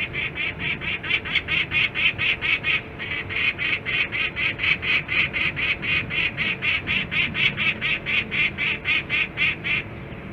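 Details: Peregrine falcon at a Pennsylvania nest site on 25 January 2021, 11:55: a rapid series of harsh, grating notes repeated about twice per second for ten seconds, steady and insistent with a brief gap near three seconds.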